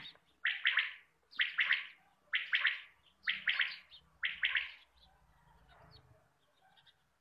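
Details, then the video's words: Quail call used for hunting: a quail gives five quick, liquid two- or three-note phrases, about one a second, followed by a faint low rumble. "Batair ki Awaz shikar kliya|Quail sound For shikar"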